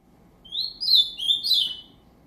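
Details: Ultramarine grosbeak from a breeder, singing a short phrase of clear whistled notes: a rising opening, then a warbled middle and a slurred, falling ending, about one second long, over a faint low hum.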